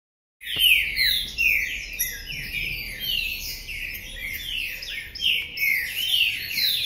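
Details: A green-winged saltator of the Paraná type sings a fast stream of loud, clear whistled notes, many sliding downward, in almost continuous overlapping phrases.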